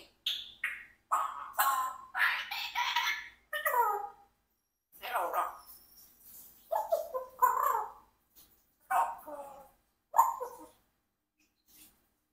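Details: Congo African Grey parrot, a 4-year-old adopted pet, practising words with its owner indoors: a run of short speech-like phrases mixed with bright whistled upward sweeps, separated by brief pauses in a quiet small room.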